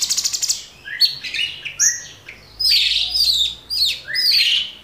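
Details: Orange-bellied Leafbird on a cage-bird training recording: a quick stutter of clicks opens into rich slurred whistles and buzzy warbled phrases, loud and continuous.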